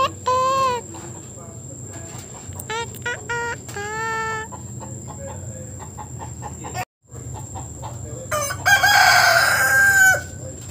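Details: Rooster perched on top of a roof, giving short harmonic clucking notes in bursts, then a loud, harsh, drawn-out crow near the end; steady hum in the background.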